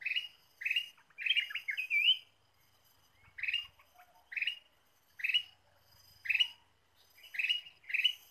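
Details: Loud, bright chirping from a Ruby-throated bulbul used for luring: a quick tumbling warbled phrase early on, then single rich notes spaced about a second apart, with faint low rumbles in between.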